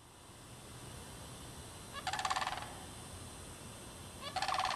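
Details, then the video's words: Sandhill cranes in March 2009 in a bog at Derby Reach Park, apparently a mating pair, give two loud, rolling, rattled trumpeting calls about two seconds apart over a steady background hiss. "Sandhill Cranes"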